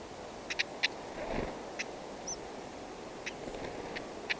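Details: A black-headed stonechat pair brings food to chicks in the nest, in dense wild grass: a few sharp clicking ticks, some in quick pairs, and one brief high whistle over a soft background hiss.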